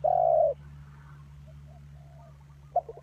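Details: Decoy spotted dove kept as a trapping lure: one loud, drawn-out mellow coo, then faint distant coos and a brief double note near the end, with a constant low hum beneath.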